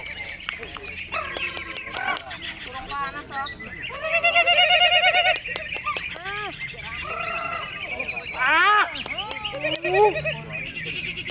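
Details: Greater green leafbird singing in a contest, a dense run of varied whistled notes, slurred upward and downward sweeps and buzzy trills, with louder bursts around the middle and other birds and voices faintly mixed in.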